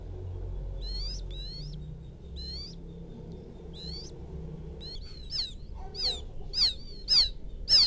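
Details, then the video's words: A young paddy-field quail calls its mother, recorded as a lure. Faint high peeps come first over a steady background rumble, then grow into loud, rapid, falling peeps. "Suara pikat anak burung puyuh memanggil indukan,suara anak puyuh ladang,puyuh sawah"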